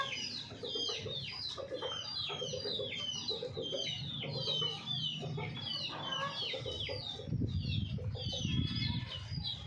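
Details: Rows of quick, pulsed hen clucks repeat through the stretch, overlaid by continuous high, downward-sweeping chirps of many small birds and a low rumbling noise near the end.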